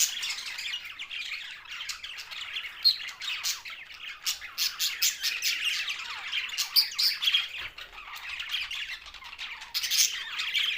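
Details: Australian parrots, budgies, chatter busily in Larkana, Sindh. Rapid trilling warbles mix with sharp clicking chirps and occasional louder squeaky peaks spread through the recording.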